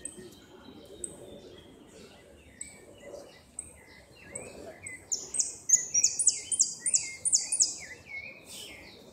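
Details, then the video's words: Goldfinch singing 'repique' in a 2016 north-zone contest, second-place bird: scattered high chips and short phrases build into a loud run of rapid, repeated trilled bursts, fairly clean with little background noise. "Amarillo de repique"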